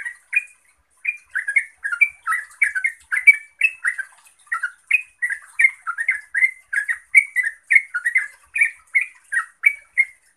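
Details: Song of a yellow-vented bulbul played to get other bulbuls answering: an unbroken stream of fast, gurgling, up-and-down warbled notes, loud and clear throughout roughly ten seconds.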